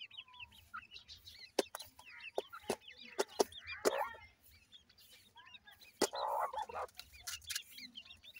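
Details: Partridge chicks playing: a busy chorus of quick, high, slurred peeping notes from several chicks, broken by sharp knocks and a brief burst of rustling noise.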